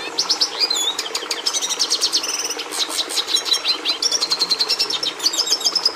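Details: Energetic Red siskin (Carduelis cucullata) song: dense high twittering, rapid trills and buzzy stuttered notes flowing continuously for several seconds.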